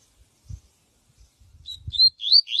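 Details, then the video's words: Yellow-bellied seedeater (coleiro baiano) giving a quick run of high, sweet, upslurred whistles that grow louder, after a few soft low thumps. "coleiro baiano canto viviti pra encarte"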